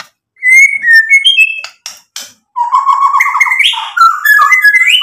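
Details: Singing white-rumped shama used to provoke rival birds into responding, showing its learned material. Clear whistled notes open the song, then brief scratchy bursts, then a dense run of warbled, bubbling phrases.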